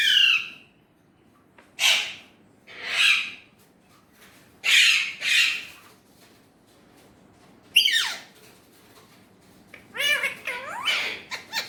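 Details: Pet Indian ringneck parrot talking in Urdu/Hindi, scattered short raspy words and squawks separated by quiet gaps, ending in a quicker cluster of curling, nasal syllables.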